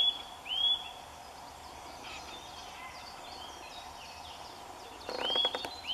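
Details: A Eurasian nuthatch singing in full sun in early March gives clear, high, upward-sliding whistles, one at the start and a short run near the end, with faint chirps and a few clicks between.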